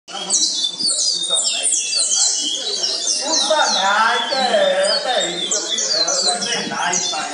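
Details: Chestnut-bellied seed finch (curió) from Pernambuco, trained for song competition, sings fast, bright, high-pitched chirps and twittering phrases without pause, with lower warbling and a voice mixed in underneath.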